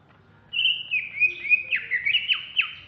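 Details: Agitated ngentrok song from a Banyuwangi greater green leafbird: a sustained high whistle opens, then quick falling slurs and chirps follow each other rapidly against a quiet background.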